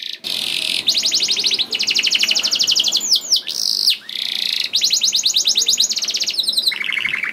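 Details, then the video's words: Canary in sustained 'gacor' song for prompting other canaries to sing: extended fast rolling trills, brief sliding whistles in the middle, and a lower buzzy trill at the close. "Kenari Gacor Mewah Langsung Nyaut Gacor Dor Di Pancing Kenari Ini Bikin Emosi || Voice of Canary"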